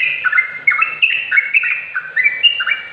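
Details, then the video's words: Loud, lively sooty-headed bulbul song for training lazy or silent bulbuls to sing: quick chains of fluty, bouncing whistles rising and falling, phrase after phrase without pause. "Masteran trucuk agar cepat gacor trucuk malas bunyi jadi ikut gacor"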